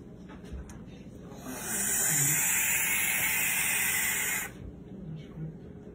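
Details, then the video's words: A barn owl chick, brought to a clinic in October 2019 and then returned to its nest, gives one long, harsh, breathy hiss lasting about three seconds, with a faint low murmur before and after. "The call of a barn owl chick"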